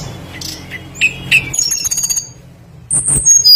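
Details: Tledekan flycatcher song played as a lure to set other birds singing: a few clipped high chirps, a brief drawn-out whistle, a quiet gap, then shrill piercing notes, all above a low continuous hum.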